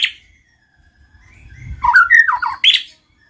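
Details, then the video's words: Brief white-rumped shama song meant to spur other shamas into singing: a faint thin whistle, then a quick run of varied whistled and chattering notes ending in a sharp high burst. "pancing MURAI BATU malas bunyi"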